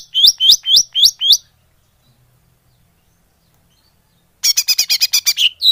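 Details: Greater green leafbird lure call used to attract birds: a rapid series of loud, high, slurred chirps, a silent gap, then a faster burst of harsh buzzy chirps ending in a rising note.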